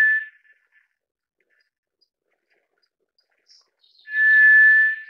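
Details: White's thrush: the tail of one long, even whistle fades out, followed by several quiet seconds with faint high ticks. A fresh sustained single-pitch whistle then sounds clearly near the end.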